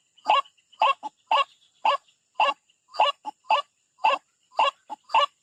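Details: A white-breasted waterhen attacking a rival near a bird trap gives rhythmic paired notes, a harsh croak followed by a short clipped note, repeated roughly every half second.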